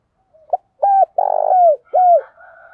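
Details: Spotted dove decoy bird singing to attract wild doves into a contest: a soft lead-in note, then a low coo, a long trembling rolled coo and a falling final coo, followed by a faint drawn-out tail sound.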